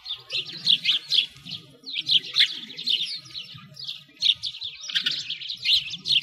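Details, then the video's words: Winter sparrows at a frozen lake in Bratislavsky Park, Moscow: clustered bursts of high chirps and tweets from several birds, pausing briefly between groups, with a soft low rumble beneath. "Sparrows singing"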